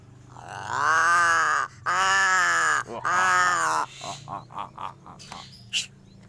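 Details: Crow producing three long, nasal, strongly harmonic calls of about a second each, back to back, then a series of short soft notes and clicks.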